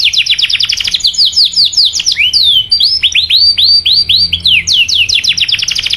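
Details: Canary singing a 'cuit cuit' lure to get other canaries singing long rolls. Dense rapid chirps run into looping swept whistles and rising notes, then close with another fast chirping burst.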